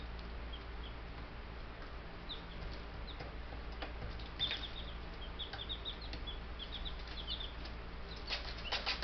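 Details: Young Buff Brahma chicks, ten in the group, utter sparse then busier high thin peeps, short downward chirps, alongside occasional taps and rustles and a steady low background hum.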